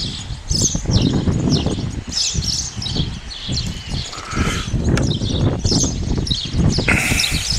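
A male house sparrow gives short, bright chirps in quick, uneven bursts over heavy low rumble and wind, with a brief human voice.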